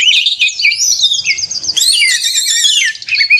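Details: Short burst of Oriental magpie-robin fighting song, a lure to rouse other magpie-robins; sweet rising and falling whistles lead into a louder run of rapid trilled notes.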